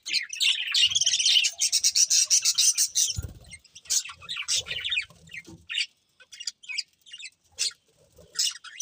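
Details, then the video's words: A flock of budgerigars chatters in a fast, rapid run of high chirps for about three seconds, then breaks into sparser, separate tweets and squeaks, with a brief low thud midway. "Adorable Budgies Chirping Sounds"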